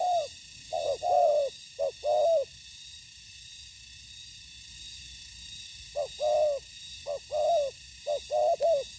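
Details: Spotted dove in ground-decoy trapping, facing wild doves that fought briefly then stayed off the ground. Clusters of sharp falling coos, a pause of several seconds, then another burst of quick coos.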